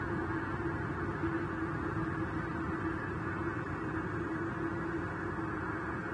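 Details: Even hiss with a faint low hum throughout, and no animal call.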